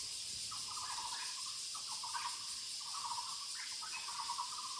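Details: In the woods, Muller's barbet calls come as clustered, low, pulsed rattles, several running together, beneath a strong steady shrill insect background.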